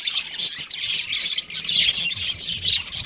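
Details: A breeding pair of budgerigars chattering in quick bursts of harsh, buzzy chirps and thin whistled notes, with short pauses between phrases.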